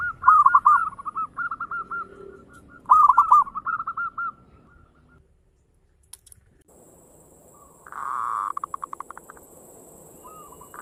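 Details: Local zebra dove singing actively in the fast 'ngayer engkel' style, used as a lure to prompt other doves to sing; two bursts of rapid rolling, bubbling coo trills, a pause, then another pulsed phrase, with faint steady high hiss.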